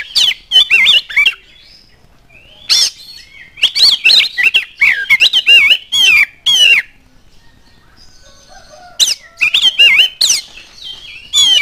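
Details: Oriental magpie-robin song used as a lure to prompt other magpie-robins to start singing. Loud, varied bursts of whistled, slurred and harsh chattering phrases come in several bouts separated by short quiet gaps, with faint background tones.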